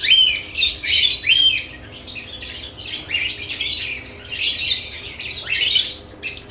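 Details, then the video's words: Lovebirds stirring around new nest boxes: two arched chirps open, followed by waves of harsh, high squeaky chatter swelling and fading every second or so. "Lovebirds add nest boxes activity & chirping sounds"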